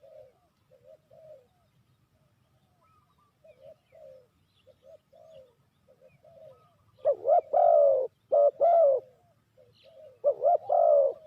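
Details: ['Lure spotted dove for trapping: several seconds of soft, distant-sounding coos, then from the seventh second loud, rapid paired coos, short notes followed by long falling ones.']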